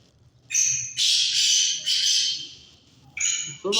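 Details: Black francolin (kala tetar) calling. Rasping, hissy squawks come in three loud bursts over a few seconds, with a brief quiet gap between the second and third. The clip ends with a short rising nasal note.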